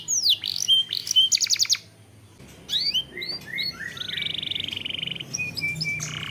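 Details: Canary lure song for triggering other birds to sing: sweeping whistles and a fast trill, a brief silence, then clipped rising notes, a sustained buzzy roll and a low rasp at the end.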